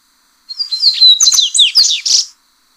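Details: Yellow-bellied seedeater (baiano), an original song offered for training captive birds: a single rapid phrase under two seconds of high, sweeping whistles and slurred chips, ending in a harsh buzzy note, on a clean, quiet background.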